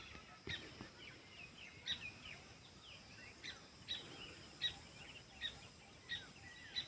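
Several birds chirp in short, high, sharp notes, scattered irregularly about once a second over steady background hiss.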